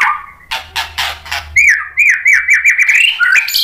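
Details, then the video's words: White-rumped shama song used as a lure to provoke other shamas to respond: several sharp buzzy chirps, then a string of clear whistled notes that rise and dip, ending in a higher warble. "SUARA MURAI BATU biar EMOSI NYAUT jadi GACOR BONGKAR MATERI ISIAN | PANCINGAN MURAI"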